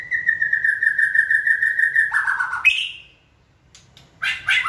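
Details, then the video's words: White-rumped shama in song training, prompted to sing: a long, steady whistled note held about two seconds, then a buzzy descending slur, a higher whistle, and a brief harsh burst. "Kỹ thuật kích thích lửa cho chim hót (shama bird)"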